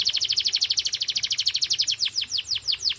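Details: Canary singing at full power: a fast, steady trill of sharp high notes repeated several times a second, shifting partway into slower, downward-sweeping whistled notes.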